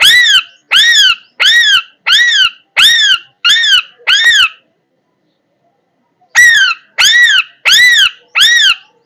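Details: A parrot giving loud, harsh, arched squawks with rich overtones. Seven come in quick succession, about one every 0.7 seconds, then a two-second silence, then four more at the same pace. No other sounds are heard.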